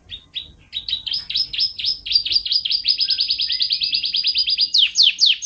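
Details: Canary singing a loud, fast series of repeated high chirps that speed into a rolling trill, ending with a few sharp descending notes; meant as a model song for pet birds.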